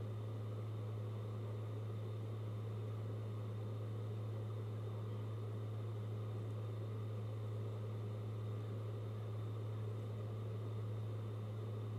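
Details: A steady low electrical hum and faint engine-like background noise run throughout, with no animal calls.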